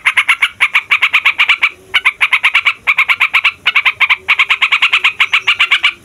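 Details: Loud yellow-vented bulbul roll meant to provoke other songbirds, delivered in long rapid runs of crisp repeated notes separated by brief pauses, with a faint high thin tone at the start.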